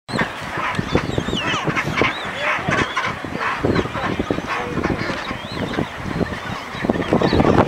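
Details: Chinstrap penguins in a busy Antarctic colony, feeding and moving about, give harsh, braying and honking calls; many voices overlap in a dense, continuous chorus, with some wind noise.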